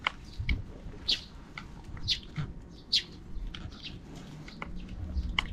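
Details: Sparrows unseen beyond the camera chirping in the afternoon: spaced single bright tweets about once a second, plus soft low bumps.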